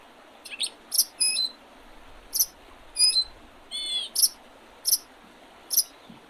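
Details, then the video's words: Spring bird chorus on 8 April 2023, Oredezh River, Leningrad Oblast, Russia, with sharp high ticks roughly every second mixed with short wavering whistles. "Весеннее пение птиц"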